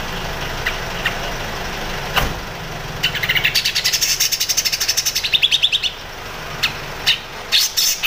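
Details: Grey-cheeked bulbul singing crecet, the chattering style offered as master song for training shama, magpie-robin and leafbird. A long, fast ratchet of evenly spaced sharp notes lasts about three seconds, followed by a few separate harsh chips, with a faint hum behind.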